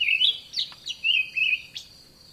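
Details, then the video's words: Olive thrush, a common, songful garden bird, calling in a garden: short warbled and chirped notes at a middle-high pitch, given in quick bursts about every half second, over a steady high insect hum. "Olive Thrush Bird Call"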